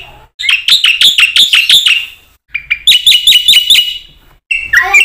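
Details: Black-winged myna singing full-variety song, used as a training lure for other mynas: two loud bursts of fast repeated sharp chirps, each bout lasting about one and a half seconds, ending with a lower squawky phrase.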